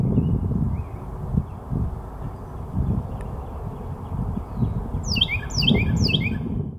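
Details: A Carolina wren (Thryothorus ludovicianus) sings, bursting into loud, rolling repeated phrases over a steady low rumble of wind or traffic.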